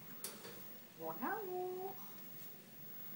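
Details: A pet African grey parrot gives one soft, nasal call lasting about a second that rises quickly, then holds a steady low tone, after a faint click in a quiet room. Its small soft calls mean it wants to come out.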